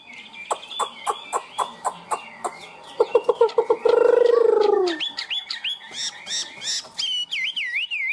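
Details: Caged Chinese hwamei singing in the high 'cao cầu' manner: a series of short, evenly spaced clicks, a loud low sliding squeal, then rapid high whistled phrases ending in wavering, bubbling notes.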